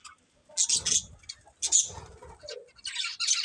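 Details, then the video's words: Budgerigars give short, bright chirps in separate clusters with quiet gaps between them, then a burst of scratchy high chatter near the end. "Cute Budgies Chirping Sounds"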